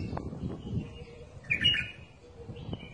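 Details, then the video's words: A bulbul singing: a short, bright warbled phrase in the middle, then a fainter fragment near the end, over steady low rumbling background noise with a few soft knocks at the start. "تغريد بلبل"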